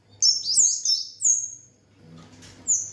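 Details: Lesser shortwing, known locally as kemade, singing in full lively form: high, thin, sweet whistled notes sliding downward in several quick phrases, a short pause, then one more high whistle; otherwise quiet.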